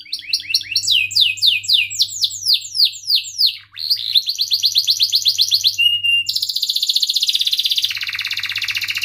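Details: Singing canary, kept as a lure bird for teaching young canaries to sing, runs through a varied song: falling whistled sweeps, rapid buzzy trills, a short steady whistle, then long rolling trills with dense repeated notes; low hum in background.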